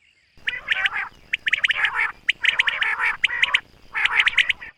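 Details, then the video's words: Common quail on a summer meadow in the morning: rapid clusters of sharp notes, roughly one phrase per second, over a constant background hiss. "Common Quail. Bird sounds from summer meadow |suba batair ki awaz 2023 | morning batair 2023"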